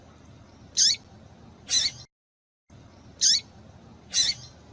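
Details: Female double-collared seedeater calling, used to excite and warm up a male for song tournaments. Two bright, high, clipped chirps roughly a second apart, a brief silent break, then another identical pair, over quiet background hum.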